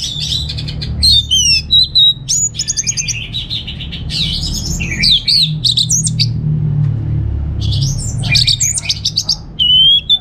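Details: Caged orange-headed thrush from North Bali gives loud varied song: scratchy bursts, sweeping whistles and clusters of sharp notes separated by brief pauses, with a constant low rumble behind.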